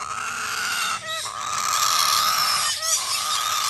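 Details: Major Mitchell's cockatoo chick begging in steady grating rasps, broken by two short gaps holding quick curved squeaky notes.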